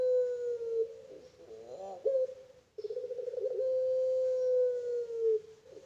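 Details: Puter pelung Barbary dove from a breeding farm gives sustained, steady coos near one pitch, the first sagging at its end, then a warbling flourish and a second long held note lasting over two seconds, indoors with little background noise.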